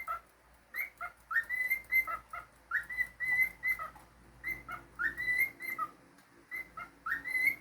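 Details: Pet cockatiel whistling a lively series of short, clear, rising notes with bright overtones, phrases repeated in bursts about every second or two with brief pauses between, indoors with a faint low background hum.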